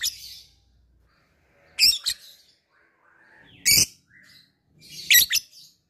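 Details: Labet bird calling an opponent: sharp, high ngetik chips, some doubled, at irregular intervals, with softer scratchy twitters between them.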